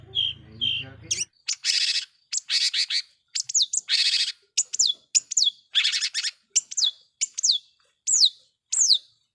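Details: Vigorous long-tailed shrike lure song to rile rival shrikes: a brief low hum and two whistles, then loud harsh buzzy bursts mixed with sharp downslurred whistles, repeated roughly every half second.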